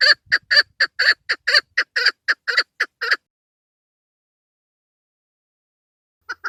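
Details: A female chukar partridge call used for hunting: a three-second burst of rapid, rough chuk notes, then a long silence, ending with two brief notes.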